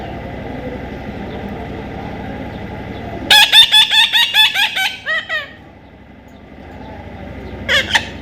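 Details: Baby parrot giving a quick run of about eight harsh, squawky notes packed closely together, then a few trailing calls and a short burst near the end, over a steady low hum.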